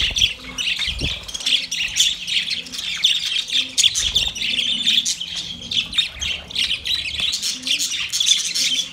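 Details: Budgie call directed at another budgie: steady, lively warbling with quick twittering notes and occasional sharp clicks, a constant buzzy chirping texture throughout.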